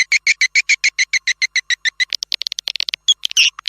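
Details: Swiftlet calling sound used to attract swiftlets to nest houses: steady run of sharp, high twittering chirps repeated about three times a second, then breaking into a faster, irregular jumble of chirps.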